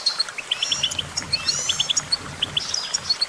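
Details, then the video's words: Goldfinch voice: clear repeated high chip notes in short runs of three or four, with a thin rising buzzy slur between them. "Vocal virtuoso: activating enhancing your goldfinch songbird prowess"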